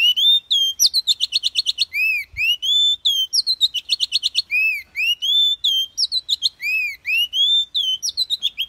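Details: Oriental magpie-robin singing in the wild-forest style known as 'kéo thuốc lào', played to stir up low-spirited birds: loud clear whistles alternating with upslurred arcs and quick rattling trains of sharp notes, about nine seconds without pause.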